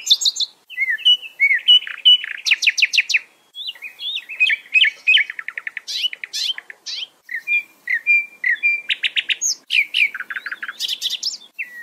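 A common nightingale sings a rich, varied song of pure whistles, fast rattling trills and rapidly repeated notes, phrase after phrase with brief pauses, over a quiet background.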